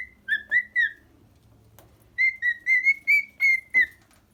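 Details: Cockatiel song from a pet bird: a few ringing whistles with one dipping lower, a quiet gap with a faint click, then a steady string of six or seven bright whistled notes.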